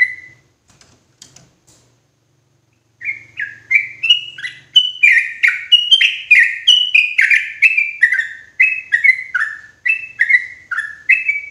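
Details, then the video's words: Sooty-headed bulbul lure sound for trapping in forest, loud and clear: after a short pause and faint low rumble, a long steady series of bright, slurred chirps, about sixteen in eight seconds. "SUARA PANCINGAN TRUCUKAN KERAS JERNIH COCOK UNTUK PIKAT TRUCUKAN DI HUTAN"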